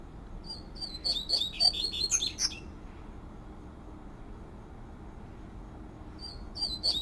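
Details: Double-collared seedeater (coleiro papa-capim) singing outdoors in the 'tui tui flauteado' style: a bright, rapid phrase of high, warbled, whistled notes lasting about two seconds, a long pause, then a new phrase begins.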